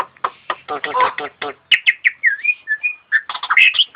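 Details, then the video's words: Caged starling in performance song that mimics an ambulance siren: fast harsh chattering notes give way to sweet slurred whistles, rising and falling glides and squeaky chips, all rapid and varied. "Kicau Burung Jalak Jos Manggung Menirukan Suara Mobil Ambulance"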